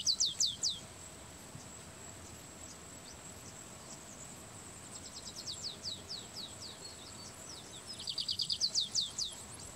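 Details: Stripe-tailed yellow finch (Sicalis citrina) at Sobradinho, São Tomé das Letras, Minas Gerais, Brazil, 7 March 2020, giving bursts of high, thin, rapidly repeated down-slurred notes in short phrases over a steady high insect-like hiss.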